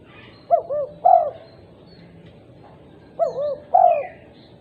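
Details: Female spotted dove calling out to other doves, two repeated phrases of short curved coos ending in a stronger drawn-out note, about three seconds apart, with faint high chirping of other birds.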